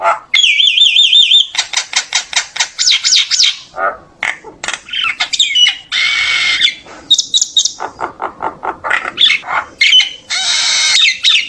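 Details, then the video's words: Common myna in full song to gather the flock, opening with a wavering whistled trill, followed by dense rapid chatters, buzzy bursts and repeated clicks. "tiếng chim sáo nâu hót gọi bầy kích bổi giọng chuẩn"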